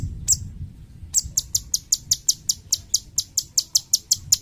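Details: Cucak cungkok bulbul, used as a training singer for other songbirds: one high chirp, a brief gap, then a steady series of sharp, bright high notes about four per second, with soft low background noise.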